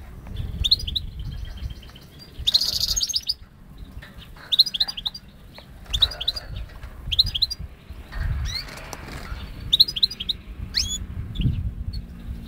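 A goldfinch-canary hybrid sings bright, high twittering phrases with quick rising notes and short trills, broken by brief pauses; soft low rumbling noise underneath.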